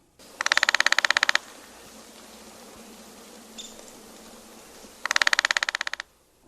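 Downy Woodpecker drumming: two quick, even rolls of about a second each, roughly seventeen taps per roll, separated by a quiet pause with a faint chirp.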